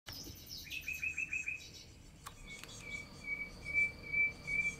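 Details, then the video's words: Great tit fledglings, out of the nest and constantly begging their parents for food: faint, thin high notes repeated in a quick run, then a long thin steady tone, over low rural background noise. "Carbonero Común alimentando a sus pollos"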